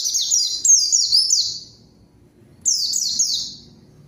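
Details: White-eye lure song for provoking a rival: high, sharply descending chirps strung in fast sequences, broken by a quiet stretch before another short phrase.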